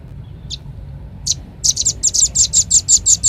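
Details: Velvet-fronted nuthatch lure call: after two isolated sharp, high chips, a fast, even run of short, piercing chit notes starts at about six per second and continues to the end.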